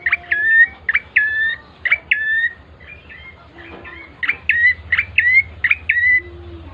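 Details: Bar-winged prinia singing, used as a lure to prompt birds into song: a fast series of bright, clipped chirp-whistle phrases in two bursts, separated by a short pause, over a faint low hum.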